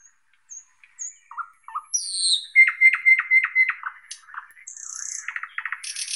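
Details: Thrush nightingale song with soft low notes and high whistles, then a fast regular string of loud clicking pulses and a buzzing, rattling finish.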